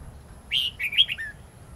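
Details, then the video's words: Wild-style (giọng rừng) red-whiskered bulbul song with long twisting notes, used as a model for young birds: a loud opening note followed by a tumbling series of shorter whistled notes, ending on a lower slurred one. "Chào mào hót giọng rừng âm dài xoắn cực hay"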